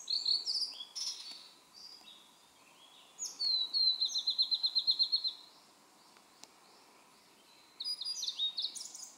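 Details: Song of a Blue-and-white flycatcher in a shaded valley along the Aodani trail, Mount Maya, Japan, 23 June 2017: clear whistled opening notes, then a fast even trill of about a dozen notes, and a further varied phrase after a pause.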